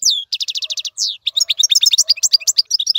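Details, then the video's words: European goldfinch, a single bird whose song is used to teach young birds to sing: a quick run of identical high notes, then a dense, fast twittering of varied sharp chirps and short trills. "افضل مقنين لتسميع الفراخ. مقنين جميل جدا لتعليم الفراخ"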